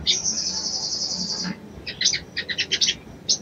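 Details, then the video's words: Female little spiderhunter calling a male to arouse him for mating: a long, even, buzzy high trill for about one and a half seconds, then quick clusters of sharp high chirps. "SOGON BETINA MEMANGGIL JANTAN‼️SANGAT AMPUH MERANGSANG BIRAHI SOGON JANTAN"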